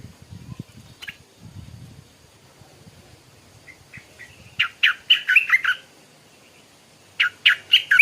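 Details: Morning singing from a stripe-throated bulbul: after scattered faint notes and low rustling, two energetic bursts of quick, gurgling notes, the first lasting about a second, the second shorter near the end.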